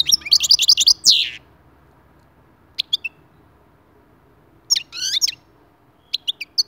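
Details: European goldfinch singing to stimulate other goldfinches into song: a burst of rapid, high twittering, then long quiet gaps broken by short clusters of sharp chirps.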